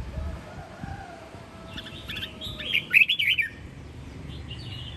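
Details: Sông Kon style red-whiskered bulbul, a home-raised competition bird from Quảng Nam, Vietnam: soft chattering notes build into a loud, rapid run of warbled, slurred whistles before trailing off into quieter chirps.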